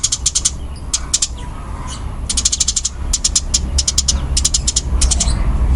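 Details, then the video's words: Eurasian tree sparrow of the fighting type giving fast, dense, very high clicking bursts in short runs, over a steady low rumbling background noise. "Suara Burung Gereja Tarung Kencang dan Rapat"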